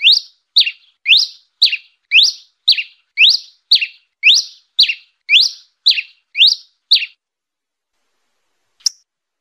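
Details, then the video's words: A red-crested finch gives a fluted song: about thirteen high, clear notes, each swooping up then down, roughly two per second, then one more after a pause. "TICO TICO REI VERMELHO CANTO FLAUTEADO"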